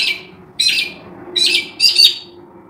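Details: Wild Australian magpie from Australia: three scratchy, buzzy phrases, the last one with brief whistled notes, separated by pauses of about a second over a soft low background hum.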